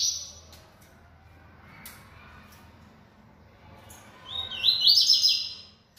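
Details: A bold caged yellow-bellied seedeater sings one lively phrase near the end: high, rapidly repeated buzzy notes climbing and tumbling, after a quiet stretch with a few faint clicks.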